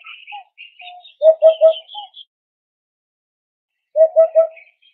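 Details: Hoopoe calling, said to communicate within a group, compete for food and warn of danger: low three-note 'oop-oop-oop' bursts at about 1.3 and 4 seconds, evenly spaced, with thin high chirps of other birds early on.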